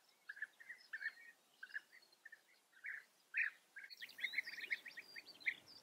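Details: Breeding colony of European bee-eaters in Germany's Eifel region, giving mid-pitched rolling chirps in loose clusters, a burst of overlapping notes from several birds later, with a faint rushing background.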